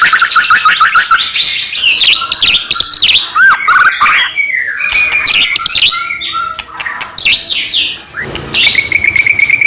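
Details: White-rumped shama in energetic, non-stop song used as a lure to provoke other shamas into singing and agitation: dense overlapping whistles, rapid chattering trills and sharp high notes shifting every second, with a steady rasping layer.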